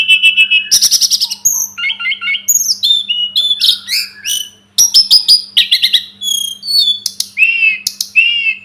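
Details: Sunda robin song recorded as a tutor track for training birds: a rapid, varied run of bright whistles, sharp chirps and buzzy trills, with short notes packed closely together and a brief pause midway. A faint steady hum sits underneath.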